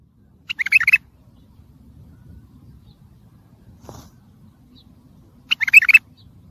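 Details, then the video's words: Bulbul song, labelled tayariyat saihan and played for training and motivating young birds: two short bright warbled phrases about five seconds apart, with quiet low background rumble and silence between. "سمع بلابلك طياريات سيحان روعه صوت ماينوصف للتخريج وتحفيز"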